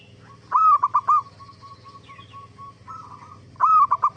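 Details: Perkutut, the zebra dove, singing as a lure for other zebra doves to reply: a coo with three quick beats, a long soft wavering trill, then another clipped phrase starting.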